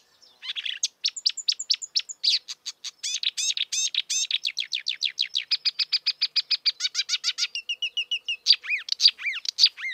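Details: In the wild, a marsh warbler pours out a long, fast medley of clicks, ticks and whistles, notes rattled off in rapid rows, shifting into buzzy trills and ending with downslurred whistles.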